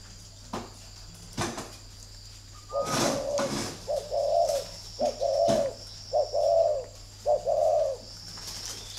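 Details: A male-type "thổ" spotted dove gives soft, hollow low coos in a quick series of about five notes, with a few clicks and a steady low hum; captive bird at a dove farm in Ba Vì, Hanoi, Vietnam.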